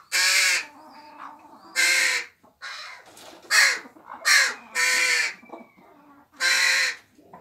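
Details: Young crows in an aviary, already able to feed themselves, one loud youngster begging and being fed by other young crows; harsh, drawn-out rasping caws about half a second long, repeated irregularly with softer croaks between.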